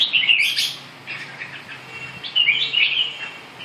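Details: Red-whiskered bulbul singing: two bright, warbled phrases at the start and again after about two and a half seconds, joined by a few fainter scattered notes over a low, steady background hum.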